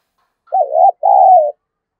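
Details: One phrase from a spotted dove used as a fighting decoy: a short wavering coo, then a longer level coo that falls slightly at the end, in quiet surroundings.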